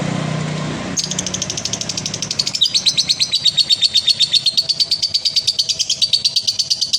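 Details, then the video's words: Male lovebird, kept for song contests, giving a long ngekek: after a low hum and a brief pause, a rapid stream of harsh high chattering notes, about three per second, continuing unbroken for several seconds. "SUARA BURUNG LOVEBIRD JANTAN KONSLET"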